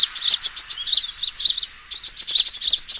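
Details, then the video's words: Sunbird lure recording of a fighting call: very high, rapid chips and twittering notes, continuous and energetic for three seconds. "suara pikat burung kolibri tarung"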